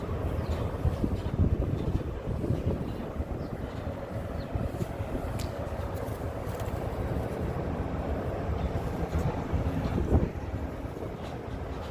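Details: Steady low rumble of city traffic and wind with occasional faint clicks and knocks, no animal voices.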